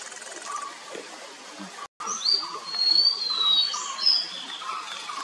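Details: White-bellied shortwing, also called Nilgiri blue robin or Nilgiri sholakili, at Kotagiri, Tamil Nadu, India, in February 2023: thin, high, faint whistled phrases drawn out and slightly wavering, over quiet background hiss with a brief gap.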